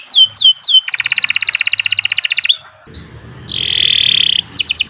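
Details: Canary song used for training other birds: downslurred whistles, a fast buzzy rattle, a brief pause with background hiss, then a sustained harsh buzzing note and more sweeping whistles.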